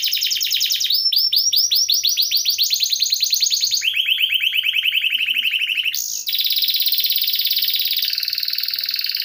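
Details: Long run of canary song used to tutor other birds: rapid trills, then rising whistled notes repeated in series, a lower fast rattle, and a dense buzzy trill to finish, all in continuous rolling style.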